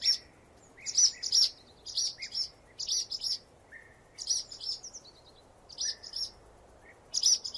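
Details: Steady twittering from a swallow, clusters of two or three piercing high chirps repeated roughly every second, interspersed with short lower buzzy slurs, background otherwise calm.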